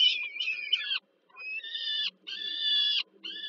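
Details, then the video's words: Peregrine falcon youngsters at a Warsaw nest, Poland, begging at dinner as their mother feeds them on 15 July 2022; loud nasal screaming wails in roughly one-second bursts with brief silent gaps. "Sokół wędrowny Warszawa, Termika Żerań (PL)- kolacja, Nela karmi maluchy"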